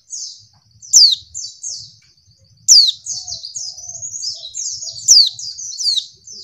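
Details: A female white-eye gives thin, high twittering in rapid bursts of quick, descending, slurred notes, sharper accents about every two seconds, over a faint low rumble; used to provoke males into singing.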